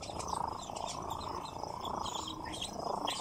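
A nightjar gives a steady, low mechanical churr, an unbroken purring rattle that runs through the whole clip, with faint higher chirps above it.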